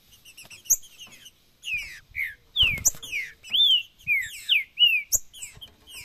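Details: Green-winged saltator giving macheado and piado song, meant to get another saltator singing: bright whistled phrases sliding downward, delivered in bursts about every half second, in a quiet setting with an occasional low knock.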